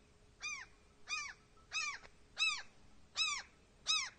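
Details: Lost baby seagull in Norway crying for its mother: harmonic, downward-arching squealing calls repeated about every 0.7 seconds, six in a row, clear against a quiet background.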